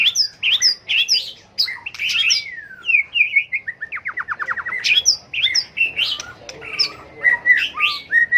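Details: Shama fighting song, white-rumped, to spur birds into singing: high sharp notes in quick succession, a descending series of rapid clicking trills, then more varied ringing phrases and steady whistles toward the end.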